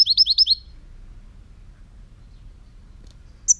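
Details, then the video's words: A European goldfinch delivers a fast, rolling run of five liquid, high twittering notes, followed by silence and then one more bright chirp. "chant chardonneret"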